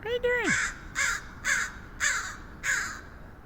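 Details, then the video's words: San Francisco crow giving five loud, rasping caws at an uneven pace, preceded by a brief falling whistle-like sound. "Strange crow noises"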